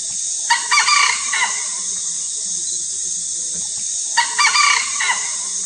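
A red junglefowl gives two short, hoarse, clipped crows about three and a half seconds apart over a constant high, sizzling insect drone.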